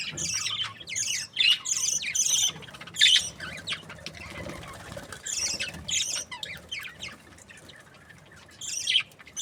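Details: Happy budgerigars in breeding pairs chatter in quick bursts of scratchy chirps and squeaks, busiest at the start, then a quieter stretch before more chirp clusters.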